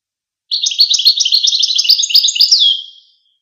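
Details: Goldfinch singing one unbroken stretch of rapid, high-pitched chattering notes lasting over two seconds, finishing with a descending slurred note; quiet background.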